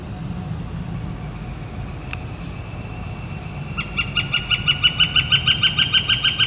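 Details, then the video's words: Quiet outdoor background with a single sharp tap, then a Northern flicker bursts into a rapid, regular series of ringing notes that grows louder, recorded on a clear spring day, April 28, 2014. "Northern Flicker Calling and Drumming"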